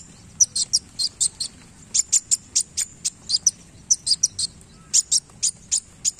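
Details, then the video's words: Sunbird known locally as kolibri wulung, singing eagerly with tail movements: a steady string of crisp, high tinkling chirps, several each second, with brief gaps, and no other clear sounds. "KOLIBRI WULUNG GACOR Main Ekor"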